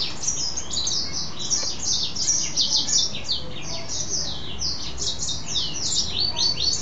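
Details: Goldfinch hybrid, a pet male mule, in full song after a bath; quick descending chirps and twittered notes repeated in a lively, unbroken stream, with a soft hum in the room.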